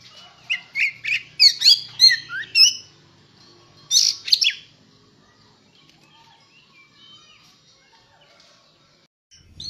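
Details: Oriental magpie-robin (kacer) in active, gacor contest-ready singing: a burst of loud, varied whistled and chirped phrases over about five seconds, one sharp high note group near the end, then near silence.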